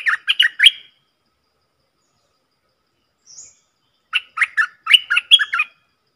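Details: Stripe-throated bulbul decoy song: a short burst of bubbly notes, a pause with one faint high note, then a longer run of rapid, warbling chirps.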